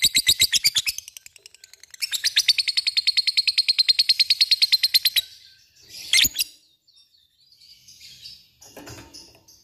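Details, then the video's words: Lovebird in ngekek style, a long rapid chattering run of harsh repeated notes, about three per second, broken by a brief pause and ending in a loud squawk and softer chirps. "LOVEBIRD cik cik cerrr,suara brung labet ngetik ngekek gacor"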